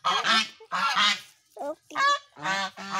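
A goose gives loud, brassy, nasal honks, about five in three seconds, some doubled, each harsh and slightly rising.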